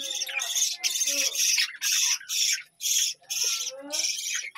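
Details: A budgerigar colony at a village home produces rhythmic, harsh, high squawking chirps in blocks roughly every half second, with soft warbling underneath.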